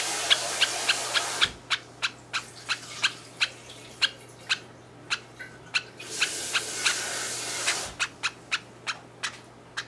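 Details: Young sakura Java sparrow, about 51 days old, perched on a person's hand and preening: short, sharp peeping chirps repeated roughly three times a second, with soft rustling bursts of feather noise between them.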